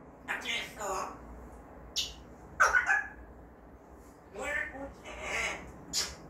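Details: Pet parrot indoors that picks up untaught words every day, giving short voiced bursts with harmonic bands, a sharp squawk-like note in the middle, then two longer breathy phrases; faint room hum underneath.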